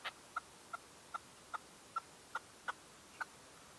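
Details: A dawn decoy red-legged partridge, recorded in 2023, gives a regular series of single clipped notes spaced roughly every third of a second, softer than the surrounding calls.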